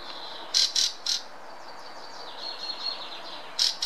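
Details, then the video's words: Fieldfare singing in Munich's botanical garden: a few short, harsh, squeaky chattering bursts, three close together and then one more after a pause, over a steady high background twittering. "Turdus pilaris song"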